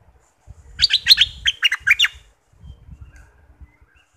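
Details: Bulbul from southern Thailand, played to excite birds for decoy trapping: a quick bubbly run of about eight short, liquid notes, some rising and some falling, over a low rumble.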